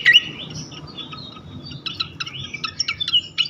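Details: Flycatcher (sikatan) song used as a lure to provoke other flycatchers: short whistled notes around mid-high pitch with sharp clicks, a rising whistle at the start and scattered chips toward the end.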